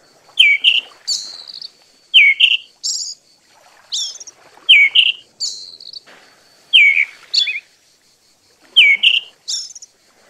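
Eyebrowed thrush giving short phrases about every two seconds, each a few clear high whistles followed by thin, buzzy upper notes, with no other sounds.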